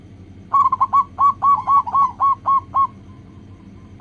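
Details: Lure song of a local zebra dove, meant to set other doves singing: one long run of about ten clear, rolling coo notes at an even quick pace, then a brief silence before a new phrase begins.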